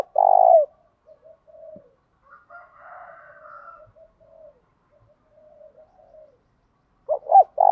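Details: Spotted dove 'thổ đồng' cooing, used to provoke males into replying and fighting. A loud short coo opens, soft distant cooing and a faint higher hum follow, then clipped notes return at the end.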